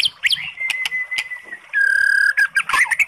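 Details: Oriental magpie-robin song played to rouse a sluggish bird: a long even whistle that drops to a lower buzzy note, framed by short clicks and quick chirps.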